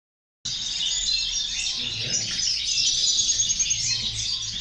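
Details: European goldfinches singing, played to motivate other goldfinches: a dense, continuous high twittering chorus of tinkling, buzzy notes after a brief silent start, with a faint low hum underneath.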